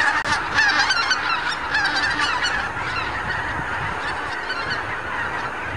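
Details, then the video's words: Thousands of wild geese gather on pastures and fields in the Lower Rhine region, Germany, in the morning; a dense chorus of overlapping nasal honks, loudest at the start, forms a continuous din over low rumble. "Meeting Point of Wild Geese - Treffpunkt der Wildgänse"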